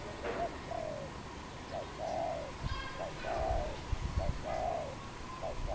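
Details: Pair of wild doves in Cambodia, 24 April 2020: soft mellow coos, short notes followed by longer drawn-out ones, repeated in a steady series against faint background hiss and low rumble.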